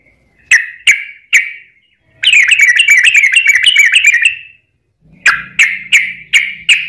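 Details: Lure recording of a singing sooty-headed bulbul, meant to make other birds answer. Three spaced chirps, a quick bubbling burst of rapid notes, then silence and five evenly spaced chirps over a faint low hum.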